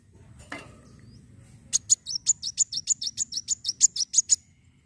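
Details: Fighting song of a kolibri wulung sunbird, meant to stimulate other birds: after a brief knock, a steady string of piercing high chirps begins, evenly spaced and quickening slightly, running for almost three seconds.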